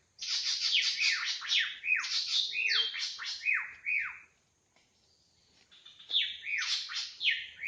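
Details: Drongo in the wild giving a lively run of harsh, buzzy, downward-sweeping notes in quick succession, a brief pause, then more scratchy falling phrases.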